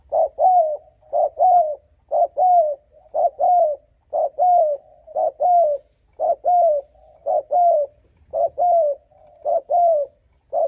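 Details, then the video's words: Spotted dove's fierce provoking coo, meant to lure wild rival males: about eleven hollow two-note phrases, a clipped note then a drawn, slightly falling one, repeated steadily roughly once a second. "Âm thanh Cu gáy thúc gù kích bổi đồng ÁC LIỆT"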